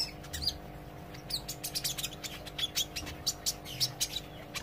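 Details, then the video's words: Olive-backed sunbird practising its song while learning: a busy stream of high, sharp chirps and clicks at a fairly steady quick pace, some notes slurring downward, over constant low hum. "suara kolibri ijo belajar gacor & ngobra"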